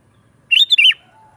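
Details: Sooty-headed bulbul singing lively, a recording meant to lure wild bulbuls in the forest and to tutor captive birds: one short bubbly phrase of three quick warbled notes, the last dropping, in otherwise quiet surroundings.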